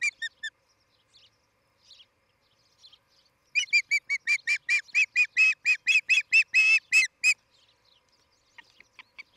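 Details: Osprey from a breeding pair at a nest in Charlo, Montana, recorded by nest camera on a July 2018 morning. A few clipped notes, then a long loud burst of repeated piercing chirped whistles, fading to faint calls.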